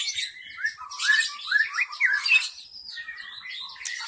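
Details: Wild forest white-rumped shama singing as lure audio for attracting shamas: quick rising and falling whistled slurs mixed with high scratchy notes, continuous over a few seconds.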